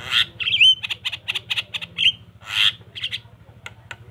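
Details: Javan myna song used to prompt reluctant mynas to respond: dense, harsh, squawky chatter with one bright rising whistle, bursts of rasping notes repeated quickly, and a constant low hum underneath.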